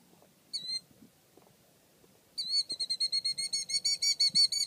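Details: Male Killdeer alarm calling while protecting its nest, more agitated than the calm female: one shrill call, a pause, then a fast run of sharp, high, ringing notes, several per second, over faint low rustling.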